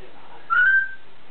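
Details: A female pet grey parrot with a rich vocabulary, unwilling to talk much and preening instead, gives one clear whistle, a third of a second long, sliding slightly upward at mid pitch before trailing off, over a faint room hum.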